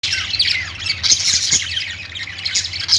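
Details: Budgerigars, a chorus of Australian parrots, chattering together in a dense overlapping stream of high squeaky chirps, scratchy warbles and brief whistles, with a faint steady low hum underneath.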